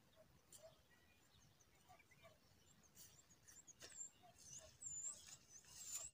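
Common babbler chicks give thin, high squeaky notes, scattered at first and then louder, sharper peeps in the last two seconds, over a soft background hiss.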